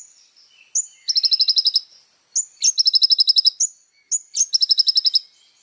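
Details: ['Little spiderhunter repeating a phrase three times: a sharp, high introductory note, then a quick, very high trill lasting under a second. Short pauses separate the phrases.']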